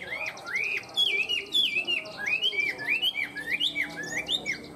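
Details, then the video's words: Caged tame Chinese hwamei in good song, repeating clear rising-and-falling slurred whistles about twice a second, each phrase bright and ringing, over a quiet low hum. "Chim họa mi thuần hót tốt"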